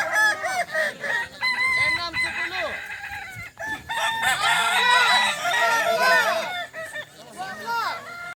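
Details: Kukuak balenggek roosters at a crowing contest at Sirukam dairy farm, Solok regency: several long, stepped crows overlap, with rising and falling harmonic notes. The crows come in repeated waves over crowd chatter and noise.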